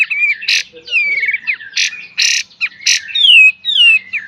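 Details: Kapas tembak master song for cage-bird training in full beset and tembak style: warbled whistled phrases broken by loud harsh bursts, followed by sweeping down-slurred whistles.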